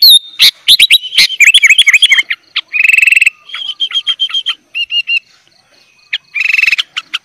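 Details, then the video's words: Sooty-headed bulbul singing a varied 'gacor full isian' song as training material for young bulbuls: quick looping whistles, short buzzy rattles and stuttering chip series with brief gaps between phrases. "kutilang gacor full isian - cocok buat masteran kutilang bahan"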